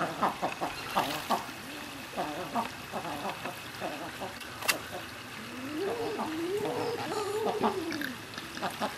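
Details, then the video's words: King eiders in courtship display: soft, dove-like crooning calls rising and falling in low arcs, several birds overlapping, with short grunting notes between and faint voices behind. "king eider en parade"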